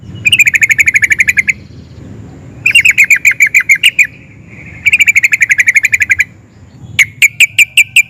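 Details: Sooty-headed bulbul in rolling ngerol style, sung excitedly to make others answer: three long trains of rapid identical chirps, closing with a slower row of sharp separate notes.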